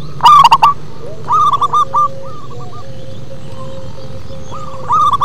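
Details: Local zebra dove singing bassy: a loud short burst of coos, then softer rolling coo series fading out and a final phrase, faint low hum beneath.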